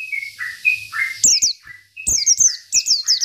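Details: Local Oriental white-eye in provoking isian song: lower clear whistled notes interleave with short bursts of high, fast down-slurred chirps in quick succession.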